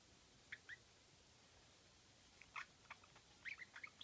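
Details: Pet budgerigar giving its cute squeaky 'kyu' call, a sound it makes only while stretching its wings; brief high chirps come in small bursts, one pair early, then a cluster of short squeaks near the end, over a quiet indoor background.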